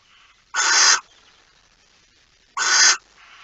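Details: Barn owl, 9 September 2019, 02:18 at night, giving two strong rasping screams of roughly half a second, two seconds apart, with softer hissy notes before and after.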